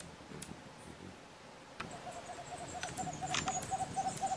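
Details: White-throated screech owl at Yanacocha Reserve, Ecuador, in temperate forest: a fast, even series of low hoots that swells in loudness over the last two seconds, about four notes per second, after a sharp click and faint background rustling.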